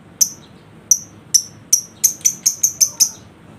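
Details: A lovebird lure aimed at drawing a lazy bird into ngekek song: about ten sharp, piercing chirps, spaced at first, then quickening into a fast even series.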